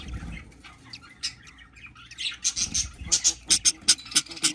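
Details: Newly hatching baby budgie giving thin, high squeaks that start scattered and then quicken into a steady series of sharp peeps, about three each second near the end.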